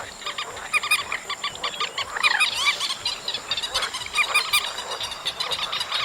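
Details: August recording of chestnut munias chattering busily, with clusters of short bright notes, a few paired ringing tones, and overlapping voices throughout, plus a faint steady electronic whine.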